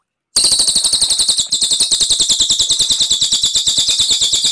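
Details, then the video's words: After a moment of silence, a Cililin launches into a bright, rapid high-pitched trill. The pitch dips slightly partway through as the rolling 'ngerol' song carries steadily on. "CILILIN GACOR SUARA TEMBAKAN AK47 NGEROL JERNIH"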